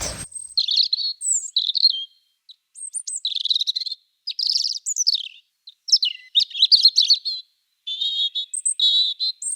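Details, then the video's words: A European robin sings a varied, high, liquid warble of short trilled and twittering phrases separated by brief pauses, heard outdoors during a primary-school class held outside. "Là, c'est le rouge gorge que vous avez entendu."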